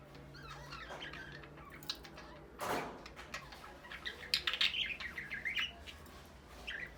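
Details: Pet budgerigars, Australian parrots ready for breeding, chatter softly at first. After a loud rustle, a run of fast, scratchy warbled chirps follows, then quieter notes, with a steady low hum behind.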